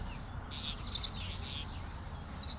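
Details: Common waxbill, an estrildid finch from sub-Saharan Africa kept as a cage bird, uttering a brief burst of high, bright buzzy notes, three or four strong pulses within about a second, with fainter chips before and after.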